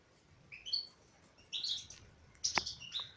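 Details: Female European goldfinch singing: three short bursts of high, thin twittering notes with brief tinkling slides, separated by pauses of about a second, over a faint steady hiss.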